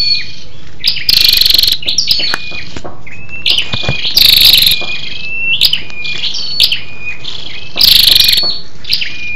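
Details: A female scarlet-backed flowerpecker calls to excite males: three strident, rapidly pulsed high trills about three seconds apart, interleaved with softer thin whistled slides and short ticking notes.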